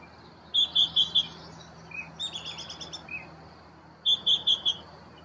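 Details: Fledging Baltimore oriole chicks give sharp, high chirps, four in a fast row, then a softer run of lower chatter notes, and another loud four-note burst to finish.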